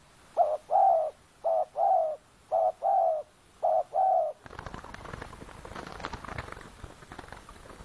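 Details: Decoy spotted dove luring wild doves among oil palms at Kampung Luagan, Sabah: four pairs of short then longer mellow coos, followed by loud rustling noise.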